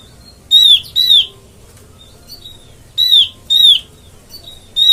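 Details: Oriental white-eye lure call used in trapping: paired high whistled notes sliding down in pitch, repeated after short gaps, with soft thin peeps between pairs.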